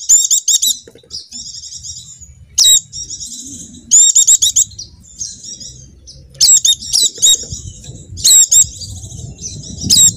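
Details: Javan white-eye song played to prompt a quiet caged bird to join in: high thin twittering phrases broken by loud bursts of three to four sharp chirps every one to two seconds.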